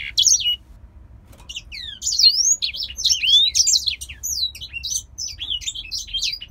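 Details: Grey singer finch, a caged male from Poland, gives a few opening chirps, a short gap, then a rapid flowing run of high slurred whistles and twittering notes.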